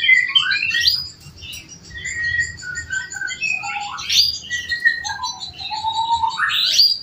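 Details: Male canary, bred at home, in long-duration master song for training: a varied run of short whistled phrases, quick chirps and sliding notes, with a low whistle rising sharply at the end.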